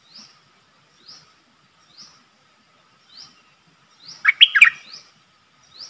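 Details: Streak-eared bulbul used as a caged decoy bird, calling to lure a wild flock: short downslurred high notes repeated about once a second, then a brief loud burst of rapid chattering notes before the steady calls resume.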